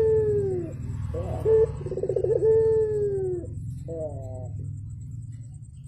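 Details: Javan turtle dove singing actively in the morning: a long falling coo, a rapid rolling trill, another sustained coo, then a short rising fragment; a low hum persists throughout.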